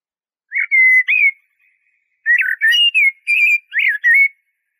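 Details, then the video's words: A Common blackbird sings mellow, fluted whistles in two short phrases, the second longer with rising and falling warbled notes, against a quiet background. "تغريد طائر شحرور (جحمومية)Merle noir"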